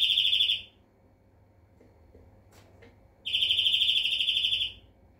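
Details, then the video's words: European greenfinch song: two pulsed, buzzy trills held at a steady high pitch, the first already underway at the start and the second lasting about a second and a half, separated by a quiet gap with faint clicks. "Flurya Kuşu ötümü"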